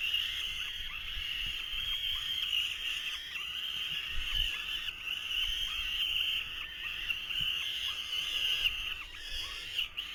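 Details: Nestling falcons in 2023 pester the male, who is struggling to feed them at the nest, with an unbroken, rasping, high-pitched wail that wavers slightly in loudness throughout.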